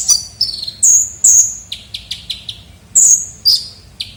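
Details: Lure recording of a lively kolibri ninja sunbird: long piercing high whistles alternating with quick downslurred chips and short clipped notes, delivered in an uneven rapid series.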